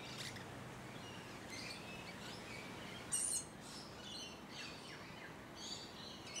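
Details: Up-close Musk Lorikeets in Hunters Hill, a leafy Sydney suburb in Australia, recorded late November to early December 2020; a series of harsh, high screeching notes, one sharp loud shriek near the middle, then more scattered squeaky bursts.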